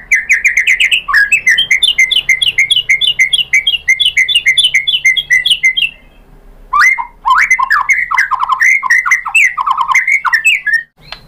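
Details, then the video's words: Murai batu lure song meant to set other shamas singing: a long rapid run of bright whistled notes repeated several times a second, a short pause, then varied warbled phrases with sharp high clicks. "MURAI BATU jadi ikutan NYAUT GACOR BONGKAR MATERI ISIAN ¦ PANCINGAN MURAI ¦ SHAMA BIRD"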